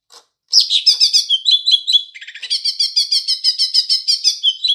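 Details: Green leafbird giving house sparrow imitation: after a click, loud continuous song of rapid chirps, a brief rattled stretch, then evenly repeated chirping notes to the end.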